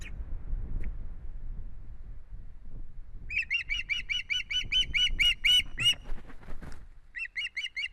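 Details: Osprey at a nest in Estonia on 1 September 2016, calling while making strange head movements; after a quiet start, a fast run of clear, whistled, slightly rising chirps, about three per second, then a short burst, with rustling and flapping sounds.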